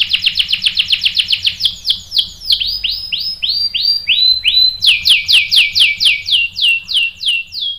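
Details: Lure canary song, a female said to bait a male into answering with energetic rolling song: rapid high trill, then slower swooping slurred notes, then another quick repeated trill, all high-pitched and clear.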